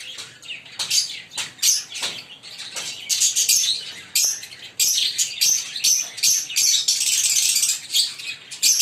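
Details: Loud, busy chirping from a green Fischer's lovebird pair: sharp, high, squeaky notes in quick clusters, building into continuous shrill chatter over the second half.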